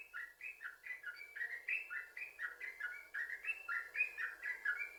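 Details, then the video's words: Lure recording of a yellow-vented bulbul meant to prompt other bulbuls to sing; a steady run of bubbly, liquid notes, about two a second, alternating higher and lower pitches without a break. "Trucukan Gacor, Sambung Ropel,Ini Ampuh Buat Pancingan Trucukan Agar Bunyi"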